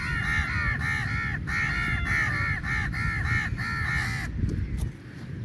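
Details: Crowd of crows competing for meat, rapid rasping caws in tight bursts for about four seconds, then a sudden drop to quieter background rumble with a few faint clicks.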